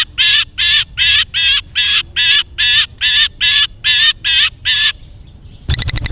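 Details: Long-tailed shrike (cendet) recording meant to train caged birds to sing: a steady series of loud, nasal, grating notes, about two per second, ending in a short rattle of clicks.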